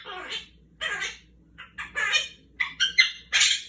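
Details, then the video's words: Pet Quaker parrot talking indoors while playing peek-a-boo with its owner: a run of harsh, raspy, chattering bursts, about eight short squawky phrases packed into under four seconds, the last ones sharper and louder. "Quaker parrot talking"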